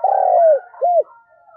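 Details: Morning cooing of a decoy spotted dove calling wild doves: a drawn-out mellow hoot sliding down at its end, then one short arched coo. Little else is heard.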